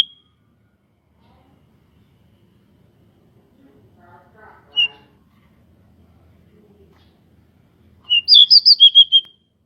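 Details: Local pied bushchat singing with wings spread, used as a lure to make other bushchats sing quickly and turn aggressive; after long near-silence, a short burst of high, sharp whistled notes rattles out at the end.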